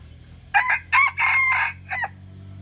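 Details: A young wild red junglefowl rooster practising crowing gives a short, hoarse crow in four bursts, the third drawn out, ending in a clipped final note.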